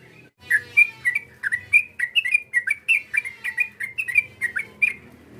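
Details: Sooty-headed bulbul call used to goad a rival: a steady run of short, liquid, slightly warbled whistled notes, each dipping then rising, several per second with little pause, over quiet background.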